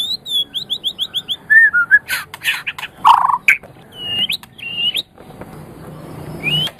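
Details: White-rumped shama song meant for training pet songbirds: a quick series of high chirps, then varied whistled phrases mixed with harsh buzzy notes and clicks, with pauses and low background hum.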